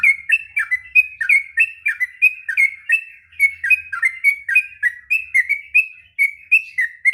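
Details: Sooty-headed bulbul pouring out a long, continuous training song for young birds: rapid bubbly whistled notes, rising and falling, several per second without pause.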